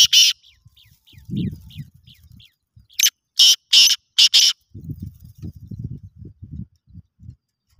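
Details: A black francolin in a calling competition gives a burst of five harsh, grating notes in quick succession, with faint chirps before and low murmuring sounds after.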